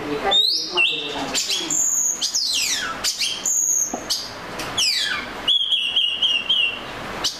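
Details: Melodious Oriental magpie-robin song of sweet whistles, steep downslurred sweeps and warbling phrases, ending in a steady sustained whistled note.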